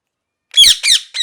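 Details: A parrot gives three harsh, buzzy squawks with bright stacked overtones, the first two long and close together and the third cut short, after a half-second of silence.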